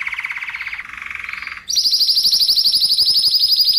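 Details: Spanish Timbrado canary song meant for coaching other canaries: a pulsed mid-pitched roll dropping slightly, then a sudden switch to a high, very fast, regular trill.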